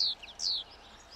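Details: European goldfinch feeding on thistle seeds along a road in the wild as spring approaches; two high, drawn-out, slightly descending buzzy notes separated by a brief chirp.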